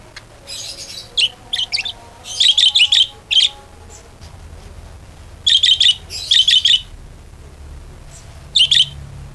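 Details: Budgerigar chattering to lure other birds into singing: short clusters of sharp high chirps and squeaky warbles in bursts of a second or less, separated by pauses, with faint low background hum.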